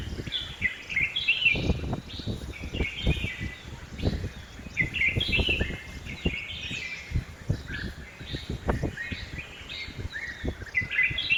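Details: Red-whiskered bulbul in a home garden at Hosur, calling in bright, bubbling phrases of quick slurred whistled notes around the upper-middle range, repeated throughout with brief gaps; low thumps and background garden noise underneath.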